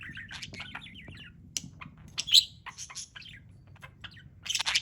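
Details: Playing parrot chirping: wavering warbles, then scattered sharp chirps and clicks at lower volume over a faint low hum, ending in a louder chirp burst.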